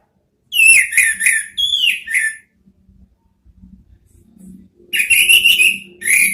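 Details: Indonesian lure-therapy recording of an orange-headed thrush singing in the twittering ngeriwik style: quick bursts of bright, slurred whistles, a short pause with faint low background hum, then another dense rapid phrase.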